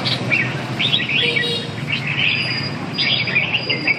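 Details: Red-whiskered bulbul singing: lively, warbled phrases of quick rising and falling notes, repeated in three bursts about a second apart, over low background hum and a thin steady high tone.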